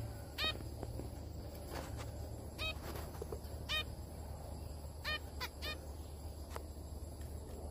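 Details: Zebra finches feeding and singing together: about six short honking beeps, nasal and harmonically rich, coming in loose clusters every one to two seconds, with faint clicks and a low droning hum underneath.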